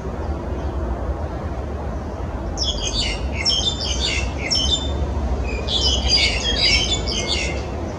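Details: Black-collared starlings at Yuen Long, Hong Kong, in January 2018: repeated bursts of loud, harsh, squeaky chatter in clustered phrases, over a steady low rumble of traffic.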